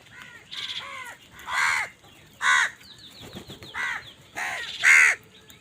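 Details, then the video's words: Crow birds squabbling for food give loud, harsh caws in a ragged series, about six rasping calls spaced roughly a second apart, each a coarse nasal burst. "কাকের ডাক Crow Sound Crow ki Awaz Loudly | Crow bird Fight for Food"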